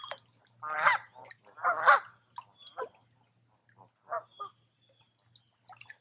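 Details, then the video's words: Several geese at a quiet woodland lake in Tamiment, Pennsylvania, during July, two loud rasping honks early, then softer scattered calls fading toward the end. "Relaxing With Some Geese"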